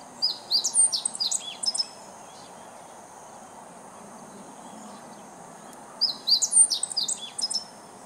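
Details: Meadow bunting in July 2014 singing as if addressing the neighbourhood; two high, hurried twittering phrases of chirps and trills, separated by about four seconds of quiet hiss.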